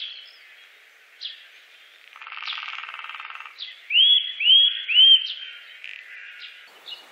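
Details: Eurasian nuthatch with three loud rising whistles in quick succession, set among scattered sharp chirps and a stretch of buzzy, rasping noise beforehand.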